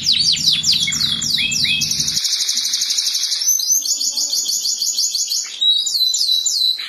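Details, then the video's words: Canary singing in the morning, used to prompt canaries that went quiet: a few swooping notes, then a long, dense, fast trill sustained for several seconds, with a high whistle near the end. "Terapi burung kenari pagi hari. kenari macet langsung gacor"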